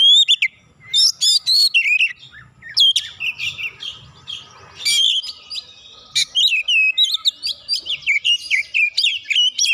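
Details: Oriental magpie-robin roused against a rival, pouring out a dense, fast medley of whistled, chirping and scratchy notes with brief gaps, steady and loud throughout.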